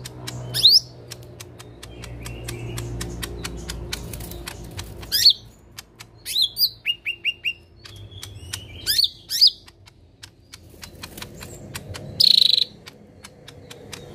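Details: Lesser green leafbird in full 'tembakan kasar' song: rapid sharp ticking clicks throughout, broken by loud piercing downslurred whistles, a quick series of four short rising notes, and a final drawn-out shrill note, over a low background hum.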